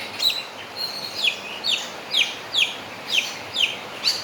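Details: Javan myna mimicking a crowing rooster: a flat whistled note, then a series of about eight sharp downward-sweeping whistles, repeated roughly every half second at a steady pace.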